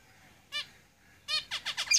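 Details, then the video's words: Caged zebra finches: two loud nasal, harmonic calls open a singing bout that runs into rapid buzzy, downward-sweeping song notes. "Zebra Finches Singing in the cage"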